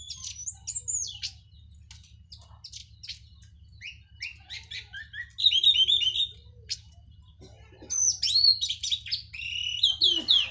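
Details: Orange-headed thrush from Cililin, just after moult, delivering teler and plong style song: scattered sharp high notes, then dense tumbling bursts of twisting whistled phrases, with a constant low hum beneath.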